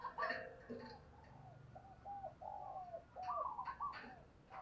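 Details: Spotted dove decoy cooing to draw wild doves: a rolling series of soft hoots amid clattering knocks and bursts of broadband noise in a small space.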